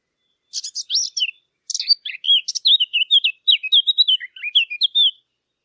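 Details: Song of the Eurasian blackcap, known locally as the fig bird, recorded cleanly for hunting callers: two bursts of squeaky twittering lead into a flowing whistled warble that drops and rises, ending after about five seconds.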